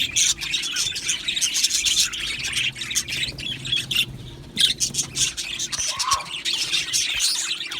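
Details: Many Australian budgerigars chirping together in an aviary, a restless stream of high twittering, clicks and scratchy squawks, with one brief lower whistled note standing out midway and a quieter gap before the chatter swells again.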